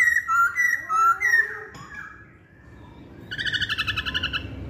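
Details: Hwamei song of bright, rising and falling whistled notes, then a pause and a fast, even trill of repeated high notes with harmonics.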